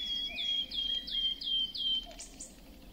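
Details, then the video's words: Wood warbler singing a series of clear, plaintive piping notes. Each note slides slightly downward, and they repeat about three times a second before a couple of higher notes end the phrase. "Świstunka leśna . Śpiew."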